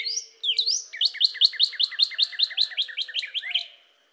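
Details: Rising whistled notes lead into a steady trill of about fifteen crisp repeated notes from a cardinal, fading away at the end.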